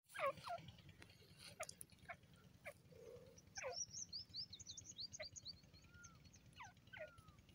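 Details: Grey francolin calling, with harsh notes sweeping steeply downward heard several times over the clip, set against a chorus of high, thin chirps from smaller birds and a low background rumble.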